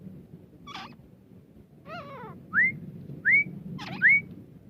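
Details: Desi grey francolin giving clear, sharply rising whistled notes, three in a row about one second apart, preceded by softer wavering, harmonic notes against a faint low hum.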